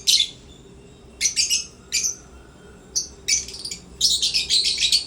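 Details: African lovebirds in a happy mood at playtime, giving sharp, high chirps and squeaks in short bursts, several clustered together near the end, with quiet gaps between.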